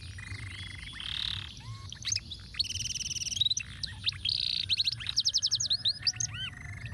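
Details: Caged canary singing a ruwet-style (complex, intricate) tutoring song for teaching other birds: rapid varied phrases of sweeping whistles, buzzy trills and dense repeated notes, with a fast rhythmic rattle of upslurred notes near the end; low hum underneath.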